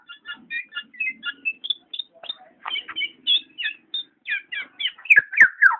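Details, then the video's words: Black-naped oriole calling with quick high chirps and whistled notes, a few lower slurs mixed in, closing with loud descending harsh notes and sharp clicks; a faint low murmur runs beneath. "burung kepodang"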